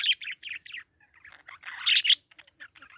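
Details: A parakeet chirps in a few short bursts of squeaky, warbled notes, rising to a louder scratchy chatter near the two-second mark before trailing off into soft twitters.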